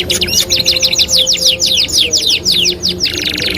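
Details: Canary singing, used to train canaries, delivers a neat trill of about a dozen identical high sweeping notes at roughly five per second, ending in a dense buzzing roll.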